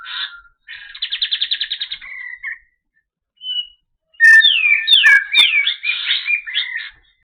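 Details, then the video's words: Kapas tembak white-eye in a clear recording: a fast buzzy trill and a short whistle, a near-silent gap with one faint note, then an excited burst of overlapping chattering, sliding whistles and clicks. "Masteran Suara Burung Kapas Tembak Jernih"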